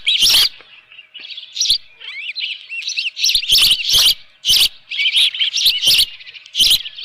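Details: At the nest with a live fish, an Osprey gives shrill chirps on a June 2018 morning; a loud opening burst, then softer rising-falling whistled notes, then a dense run of sharp high cheeps.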